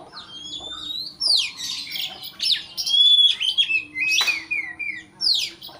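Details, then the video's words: White-rumped shama song used to provoke an opponent: rich, varied phrases of clear whistles, rapid trills and harsh sweeping notes, delivered in bursts separated by brief pauses, with a faint low hum underneath. "pancingan kacer emosi supaya lawan cepat ngotot/ emosi"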